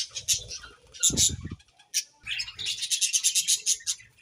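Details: Budgies in the morning give high, sharp chirps and chattering bursts, with a run of quick, evenly spaced twitters at the end, broken by soft thuds and a clattering noise.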